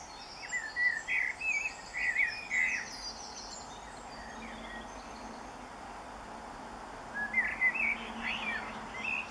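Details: Common blackbird singing at dawn around 4am on 24 June 2015: mellow fluted phrases, each ending in a higher twittering flourish, with two bouts separated by a pause and steady background hiss.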